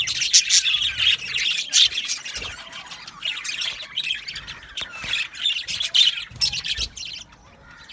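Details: Aviary flock of Australian budgerigars chirping and singing: continuous high, gritty warble with sharp squawks and chattering notes overlapping, loudness swelling and dipping throughout.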